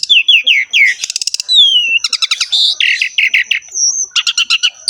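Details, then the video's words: Vigorous Asian pied starling song with a rich filled-in repertoire: a series of downslurred whistles, a dry rattle, a long falling whistle, then quick bursts of chattering chips and high clicking trills. "KICAUAN BURUNG JALAK SUREN GACOR FULL ISIAN MEWAH"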